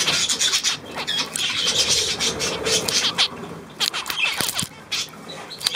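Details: On 9 February 2024, budgerigars keep up a scratchy, high twittering chatter, loud at first and then breaking into shorter bursts with small squeaks and gaps.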